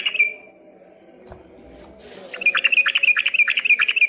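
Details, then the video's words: Yellow-vented bulbul singing energetically, heard from a distance and first taken for a straw-headed bulbul: a single slurred whistle, a pause, then a rapid even series of chattering notes about three per second. "dari kejauhan di sangka suara burung CUCAK ROWO setelah dihampiri ternyata cuma TRUCUKAN ROPEL GACOR"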